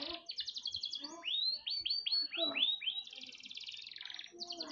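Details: Canary song recorded as a master for teaching other birds, with quick trills, a string of rising swept whistles, then a sustained buzzy rattling tour.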